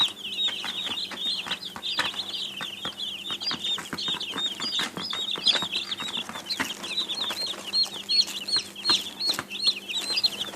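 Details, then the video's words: A crowd of baby chicks chirps in quick, slightly rising and falling high peeps, packed closely together, while small tapping and scratching sounds punctuate the chorus and a soft hum runs underneath. "Baby Chicks sound effects"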